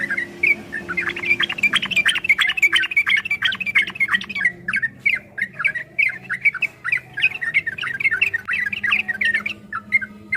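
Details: Yellow-vented bulbul delivering a long, dense 'ropel' song used as master training material: continuous rapid chattering and bubbling notes with harsh squawky edges, barely pausing over ten seconds, over a low hum.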